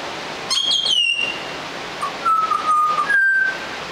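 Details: Juvenile Australian butcherbird practising its song: one high whistled note gliding downward, then a series of lower, flat, slightly wavering whistles and a final mid-pitched whistle, over steady background hiss.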